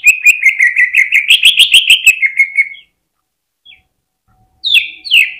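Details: Greater green leafbird heard on a hanging pole, its song used to fire up other birds: a rapid rattling trill of chips over a wavering whistle for nearly three seconds, silence, then two loud downslurs.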